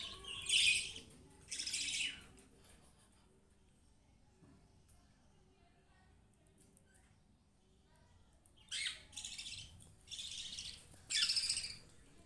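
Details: Baby budgerigars housed alongside pet rabbits: two scratchy chirps open the recording, then a long quiet stretch, then a closing cluster of three rasping bursts.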